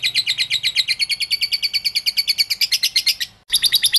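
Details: Lovebird song for provoking other lovebirds to sing: a fast, steady chatter of shrill, scratchy notes, roughly seven per second, broken by one brief pause before resuming.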